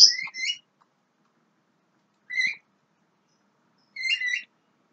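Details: Young Javan myna giving three spaced bursts of stacked, slightly rising whistled notes, about two seconds apart, with silence between them.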